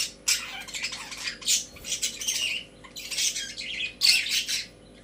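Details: Budgerigars kept as pets in a cage: loud harsh squawking bursts roughly every second, separated by short quiet gaps, over a faint steady hum.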